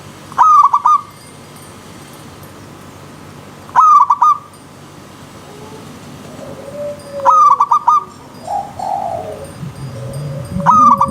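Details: Wild zebra dove giving four loud staccato coo phrases, each a quick chain of clipped notes about every three and a half seconds, while softer, lower, drawn-out cooing from other doves fills the gaps.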